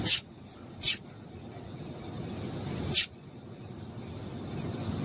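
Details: Female double-collared seedeater calling to excite a male to sing: three short, sharp, high chips, two close together then a third after about two seconds, over a low rumbling background.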